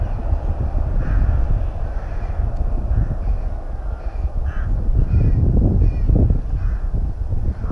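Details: Rooks at a nest in a breeding colony near Tyrnovo give scattered hoarse caws, several spaced a second or more apart, over a heavy low rumbling background.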